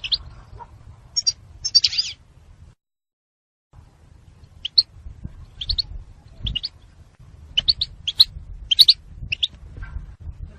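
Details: Female European goldfinch calling to stimulate the male to mate. Short, high, sharp chirps come singly and in quick pairs, scattered irregularly with brief gaps, over a low background rumble.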